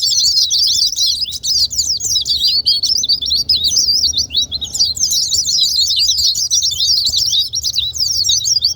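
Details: Rapid, high-pitched white-eye song for provoking quiet birds to sing, a restless chatter of sharp upward and downward flicks running nearly nonstop, with a brief lull around midway and faint low noise beneath.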